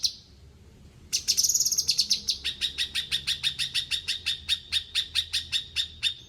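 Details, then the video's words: Bulbul singing: a quiet faint note, then a high buzzy rattle, followed by a regular string of crisp, clipped notes repeated about three times per second. "Cucak kinoi gacor"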